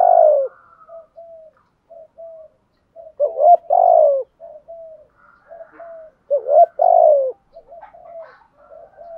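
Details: Spotted dove cooing in the thúc gù style. Loud, low two-note hoots come three times, with quiet short coos and faint higher notes scattered between them.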